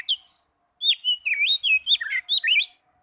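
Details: Young Oriental magpie-robin, kept as a caged bird, delivering a lively string of whistled, rising and falling notes in quick succession, clear and high-pitched against a quiet background.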